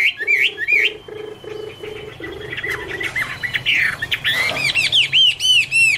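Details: Chinese hwamei, Garrulax canorus, singing an autumn love song: looping slurred whistles, then rapid high chirps, over a steady low hum.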